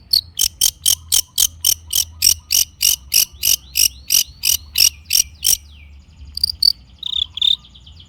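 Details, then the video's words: Long-tailed shrike singing to prompt silent birds: a steady rasping chatter of about three harsh notes a second for several seconds, then a few scattered high whistles. "kicau cendet gacor pancingan cendet stres macet bunyi JADIKAN cendet NYAUT GACOR"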